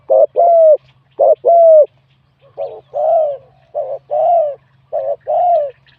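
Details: Competition-singing spotted dove, a wild bird with a medium-to-large voice style. Its paired coos repeat: a brief clipped note, then a sustained, slightly falling coo. The phrases come in steady groups over six seconds.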